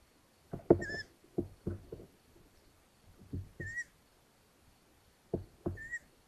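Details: Long-eared owls at a nest in Hungary, 13 May 2022, as the mother returns from hunting and delivers a mouse to the chicks: short squeaky high notes in pairs, mixed with dull thumps and scraping movement sounds.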